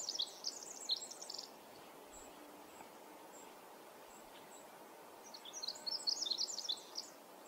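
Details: Male Pacific wren singing in forest at Manning Park, July 2020: two bursts of very high, rapid tinkling notes and jumbled twitters, separated by a pause of about four seconds, over a steady low background hiss.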